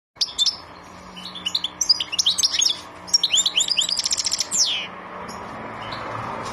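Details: European goldfinch singing a quick, tinkling twitter of high, sliding and buzzy notes in two bursts over about four seconds, with a faint low hum in the background.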